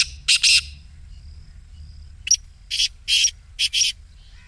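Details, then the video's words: Black Francolin excited call: a pair of rasping notes, a pause, then a rhythmic series of four harsh, grating syllables. Played in the morning to get a caged francolin calling. "کالے تیتر کی مستی والی آواز"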